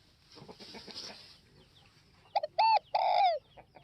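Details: A single phrase from a northwest Vietnamese spotted dove: two clipped notes, then a drawn-out coo that slides downward, following a soft rustling at the start.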